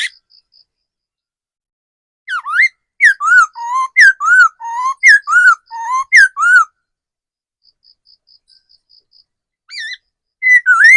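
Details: Laughingthrush kept as a decoy in forest: a dense two-second string of about a dozen looping whistled notes, then a pause of faint high pips, then more whistles.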